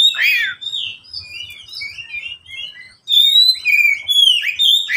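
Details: Caged oriental magpie-robin kept as a pet, song used as a lure for birds reluctant to sing: loud sweeping whistles and varied chirped phrases, a short pause, then clear drawn-out whistles and descending slurs.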